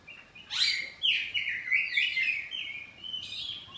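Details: Caged oriental magpie-robin, kacer poci kept at home, in loud ngeplong answering song: a sweeping whistle followed by a fast run of varied warbled notes, then a sharp high phrase near the end.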